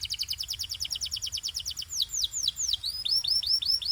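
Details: Canary training song: a long, rapid, even trill of bright high notes that slows into broad downward-sweeping whistles, then curving chirps repeated about every quarter second.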